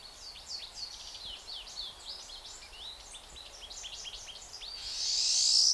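Pine siskins chatter in quick, overlapping high twittering notes, ending in a loud, rising buzzy zreee.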